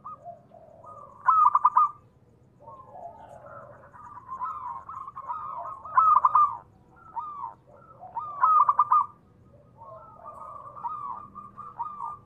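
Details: Calling zebra dove, local bird used as a lure to make doves respond quickly: three loud staccato coo bursts about every two and a half seconds, each trailing into quieter purring notes.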